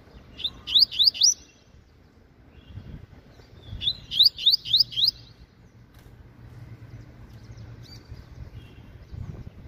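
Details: Double-collared Seedeater, a caged young bird, sings 'meio canto' half song: two separated bursts of four to five quick upslurred whistled notes, a few soft notes afterward, faint low hum.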